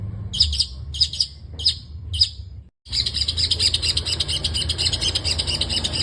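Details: Long-tailed shrike singing 'gacor full isian' style, full of fill-in phrases: five brief high chirping bursts, a short silent break, then a dense unbroken stream of rapid, scratchy chatter over low hum.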